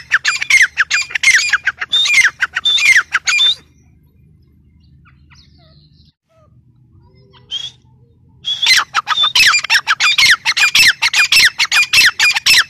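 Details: Teetar, the grey francolin, giving loud, harsh, rapidly repeated squawks with falling scratchy strokes. Two long bouts are separated by about five seconds of near silence broken by one brief note.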